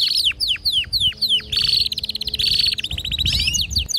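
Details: Domestic canary, a female's mating call with male song; a row of falling whistled notes repeated about twice a second, breaking into bright rolling trills and a rapid pulsed run, low rumble beneath.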